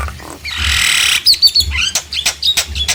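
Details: Nias hill myna song used to provoke silent mynas into singing: a harsh rasping squawk, then a rapid run of sharp chirps and clicks.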